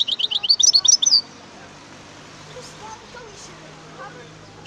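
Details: European goldfinch song opening with about a second of fast, chattering twitters, then near silence with faint background murmurs and a single high note at the very end.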